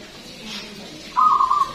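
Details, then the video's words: A local zebra dove, a vigorous singer with a big voice used to lure others, gives one short run of rapid, throaty, stuttering coos near the end after near silence. "PERKUTUT LOKAL GACOR SUARA BESAR DAN PANJANG"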